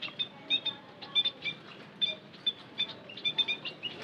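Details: White-headed munia lure call: repeated high, bright chirps in little doublets, evenly spaced, with a soft steady hiss behind them.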